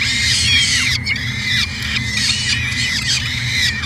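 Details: Peregrine falcon filmed on a nest camera in Edmonton, Canada, in 2017, giving strident, repeated squealing calls with rich harmonics and short arching notes, barely pausing, a low mechanical drone beneath.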